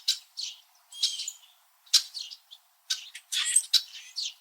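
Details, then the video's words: A group of Red-winged Blackbirds, perched high in backyard trees in Southern Ontario, Canada, in winter, trading sharp chirps: clusters of clipped chip notes and short harsh buzzes separated by brief pauses. "Red-winged Blackbird Winter Calling and Chirping Sounds"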